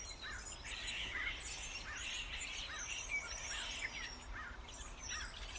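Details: A flock of starlings: repeated arched whistles near a steady beat, a few sharp high squeaks, and constant overlapping chatter over low background noise.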